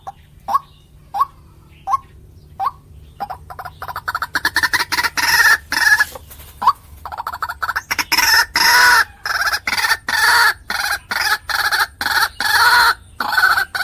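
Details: White-breasted waterhen calls used as a bird lure: a few spaced, hooked notes at first, building after four seconds into rapid choppy notes and loud harsh croaking bursts repeated steadily.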